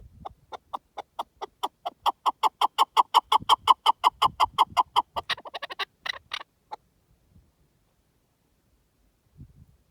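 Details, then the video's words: Partridge in the wilderness delivering a loud, rhythmic series of clucking chuk notes that quicken and swell, then break into hurried, ragged notes before falling silent. "Pure Partridge Calls in the Wild"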